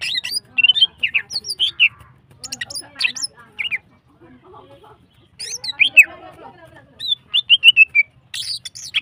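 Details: Female greater green leafbird singing hyper and long, meant to rouse other birds: bursts of sharp, high slurred whistles and chirps, pausing briefly, then resuming with rapid descending note series.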